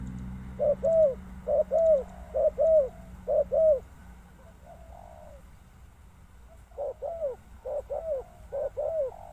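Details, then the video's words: Spotted dove giving mellow repeated coo-croo phrases, a short note then a drawn-out falling one, in two bursts separated by a brief pause, over a low steady hum. "Sound Of Spotted Dove"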